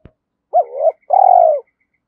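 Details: Part of a Spotted dove's coo, used to entice other doves to call: a looping low note, then a sustained, slightly burred coo that drifts down, with a faint high steady tone in the background.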